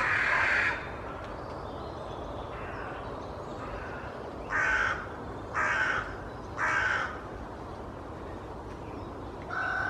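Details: Carrion crows gathered in a large tree in Children's Wood, Hull, tail-fanning and displaying without aggression, give harsh, hoarse caws: four spaced about a second apart after an opening call, over a steady broadband hiss.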